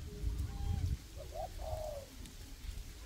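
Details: Spotted dove decoy calling in a windy forest to lure wild doves for trapping; a single phrase of two short notes and one drawn-out coo after a gust of wind rumble.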